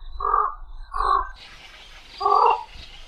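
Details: Javan pond heron uttering three hoarse, rasping squawks: two close together, then a gap of soft hiss before a final louder croak.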